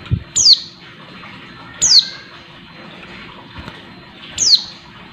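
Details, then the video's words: A female Oriental white-eye calls to excite the male; three single thin chirps dropping steeply in pitch, spaced irregularly about 1.5 to 2.5 seconds apart, over quiet background hum. "pleci betina buat menaikan emosi pleci bahan"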